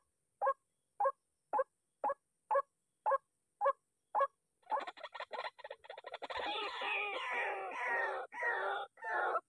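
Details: White-breasted waterhens, disturbed by a loud MP3 decoy call during trapping, give harsh croaking notes about twice a second for four seconds, then burst into dense, overlapping raucous chattering that continues to the end.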